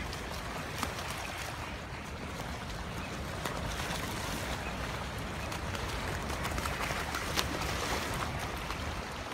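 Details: Steady rushing, splashing water noise with faint clicks and knocks, and no distinct animal calls.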